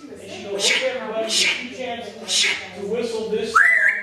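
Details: Mimicking African grey parrot producing repeated speech-like syllables broken by hissy sibilant bursts about every 0.8 seconds, ending in a sharply rising whistle that levels off into a sustained note.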